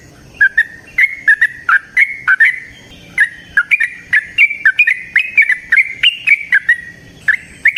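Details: Yellow-vented bulbul in the wild, singing vigorously in a long run: a lively stream of short, slurred, chirpy whistles that rise and fall slightly, repeated steadily for eight seconds with a brief pause in the middle.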